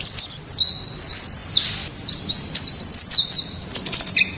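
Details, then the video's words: Wild white-eye singing for a training recording meant to help captive birds start singing: a fast, high, jumbled twitter of thin whistled phrases, ending in rapid sharp chips. "Suara Masteran Pleci Ngalas Agar Cepat Buka Paruh"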